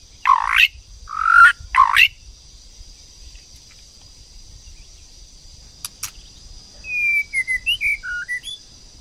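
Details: White-rumped shama, female and male, with the female stimulating the male to sing: three harsh, rasping notes open, then a pause and a sharp click, followed by a run of quick, varied whistled phrases near the end.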